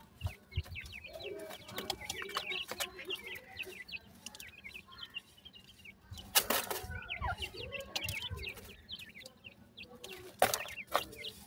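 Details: Grey francolin chicks keep up busy high peeping, while wing flapping and loud rustling bursts break in twice and low clucks sound.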